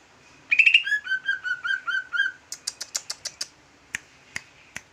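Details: Jumbo green leafbird singing in bulbul-like fashion: a quick rising whistled run, a string of evenly repeated warbled notes, then a series of sharp clicks slowing to isolated ticks.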